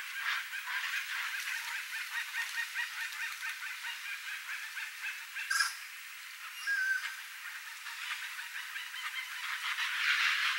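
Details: A flock of Chestnut-bellied Guans, a rare, endangered bird endemic to Brazil, calling in natural habitat with fast, rhythmic, nasal honks in continuous chorus, a brief lull midway, then rising intensity toward the end.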